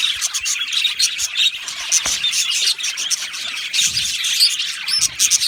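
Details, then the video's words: Many budgerigars chatter together in an aviary, a steady high twitter broken by sharp chirps and a few squeaky whistles. "Beautiful Budgies chirping sounds"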